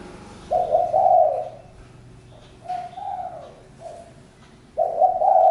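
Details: Spotted dove delivering low, burry coos: a strong long note, a softer pair of short coos, then another loud drawn-out note at the end.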